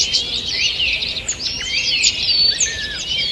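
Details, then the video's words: Early-morning forest birds, 2 June 2023: overlapping thin whistles and fast chirps, including long drawn whistled slides, set against a steady hiss of forest background. "Утреннее пение птиц"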